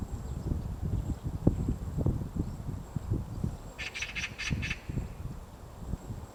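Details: Steady irregular low knocking as a White-backed woodpecker hollows out a nest in a tree, Gongsanseong Fortress, Gongju, Republic of Korea, March morning, interrupted by a quick run of five crisp, bright clicks.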